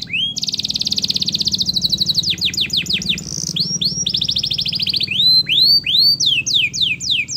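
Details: Loud canary song played as a lure to get reluctant canaries singing: long rapid buzzy trills alternating with high swooping whistled notes and rolling rattles, delivered in fast, varied phrases with a faint low hum behind.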